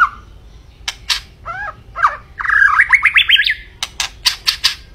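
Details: White-rumped shama (murai batu) song: sharp clicks and a few swooping whistles, then a buzzy phrase and a rising run of looped whistled notes, followed by a series of sharp percussive clicks.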